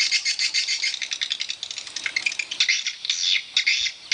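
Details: Chorus of swiftlets at a swiftlet house: an uneven run of high, rattling chirps and twitters, with some louder bursts near the end.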